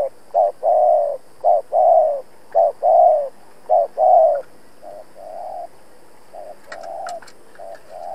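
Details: Captive decoy spotted dove calling to draw rival males for a trap: a long run of low coos, short note then longer note, about one phrase per second, with faint clicks and tapping near the end.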